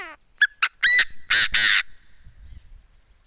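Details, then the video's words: Chinese francolin kept as a decoy, crowing. A faint falling note opens, then two clipped notes lead into three loud, grating, broadband blasts that stretch longer toward the end. "Tiếng chim đa đa mồi gáy hay thuần đét"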